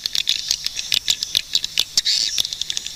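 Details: Swiftlet sounds: sharp dry clicks in an irregular patter, mixed with short high chirps and faint twittering in the background.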